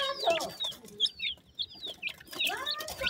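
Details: Newly hatched grey francolin chicks calling for their mother: sparse high peeps with a quieter gap in the middle, then a louder cluster of chirps at the end.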